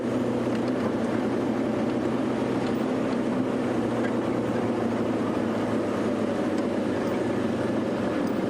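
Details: Steady engine drone of a vehicle throughout, with no animal calls to be picked out.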